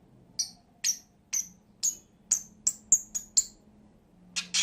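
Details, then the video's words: Pet lovebirds: a steady run of thin, very high, clipped chirps about every half second, speeding slightly, closing with two harsher squawks. "CİCİKUŞ SESİ----Cennet Papağanı"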